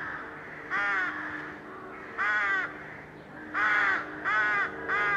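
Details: Crowded crow colony in May 2020, mallard ducks washing close by: five strong, nasal, grating caws at irregular gaps of under a second to about one and a half seconds, over a faint background hum of other birds.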